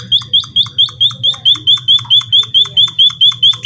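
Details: White-headed munia singing actively: thin, sharp, high chirps repeated steadily about twice a second, each a brief bright upslurred note, with a low hum underneath.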